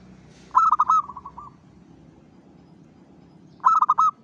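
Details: A local zebra dove sings two bubbling cooing phrases about three seconds apart to lure other zebra doves. The first trails off into softer notes, and steady background noise runs throughout.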